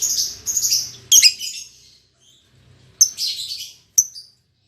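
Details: Albino MM male and lutino MM female lovebirds, caged and newly paired: shrill rasping chatter at the start, then a pause and two short sharp squeaky bursts, with a faint low hum beneath.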